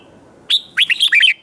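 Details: A single brisk red-whiskered bulbul phrase sung in competition style: one sharp opening note, then a rapid run of bright, bouncing slurred whistles.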